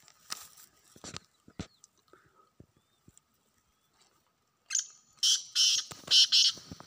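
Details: Black francolin in the wild ending with a loud phrase of harsh, buzzy rasping notes in pairs, preceded by scattered clicks, rustles and handling noise.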